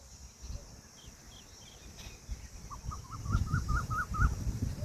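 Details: Indian peafowl, a peahen, calling with an accelerating string of about eight short rising notes near the end, amid low rumbling noise and a few faint higher sounds earlier.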